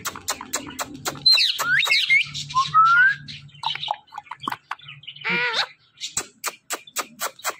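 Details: Two pet talking parrots in conversation: sharp clicks and taps throughout, curling high whistles near two seconds, a rising clear whistle, and a loud harsh harmonic call around five and a half seconds.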